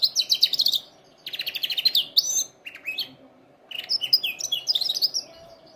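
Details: Singing canary for training: three bursts of rapid repeated high trilled notes separated by short silences, the last with varied rising and falling chirps.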